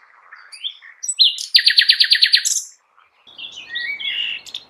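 A European goldfinch sings bright, tinkling twitters. At the center comes a fast run of about nine sharp, ringing notes, then a scratchy, chattering phrase.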